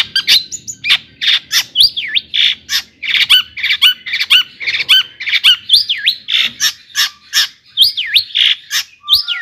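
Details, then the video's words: Long-tailed shrike song meant to provoke other shrikes into singing: a dense, harsh, squawky stream of rising and falling notes with V-shaped swoops, barely pausing throughout. "kicauan Cendet Gacor AMPUH ISIAN MEWAH JUARA COCOK buat pancingan CENDET agar NAIK EMOSI JADI GACOR"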